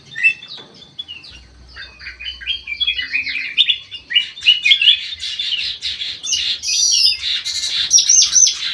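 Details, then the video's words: Bulbul in an aviary singing energetically, a continuous tumbling stream of high, rapid chirps and whistles that grows busier and louder toward the end, with faint low rumbling underneath. "KUTILANG EMAS MATA PUTIH SUPER GACOR"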